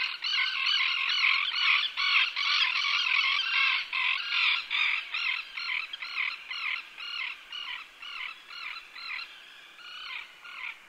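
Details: Common terns at a golf course in Joroinen, Finland, give harsh, grating "kee-arr" calls, several birds overlapping in a steady chorus about twice a second that fades toward the end.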